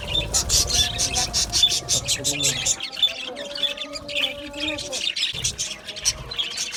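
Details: Australian budgies chirp in a lively aviary colony, a rapid series of sharp high tweets, brief warbles and squeaks, with some low background rumble at the start.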